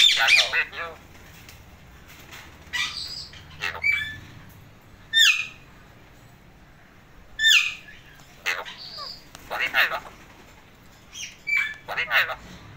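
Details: Indian ringneck parakeet in a happy mood, uttering scattered short sharp squawks and chips every couple of seconds, separated by quiet stretches with a low background hum.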